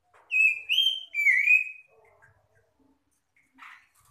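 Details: Magpie-robin answering song used to lure other magpie-robins and start stressed birds singing: three bold whistled phrases, the final one sliding downward, then faint soft notes and a brief scratchy call.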